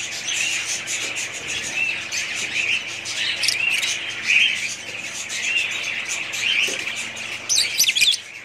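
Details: A family of pet budgerigars warbling and chirping continuously, many birds overlapping in a shrill, rippling chorus that swells and fades, ending with a burst of sharper squeaks.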